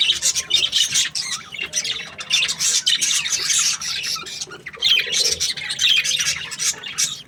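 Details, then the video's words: Budgerigar breeding pairs, said to be happy, filling the air with loud squawky chirps and warbling chatter in bursts, brief dips between busier stretches, several birds calling over one another. "Happy budgie chirping sounds | breeding pairs"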